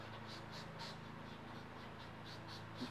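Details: Pileated woodpecker feeding chicks at Ridgeview Greens Golf Course, Hardwood Ridge, New Brunswick, June 17, 2011: high, buzzy, insect-like bursts repeated about four times a second, over a steady low hum.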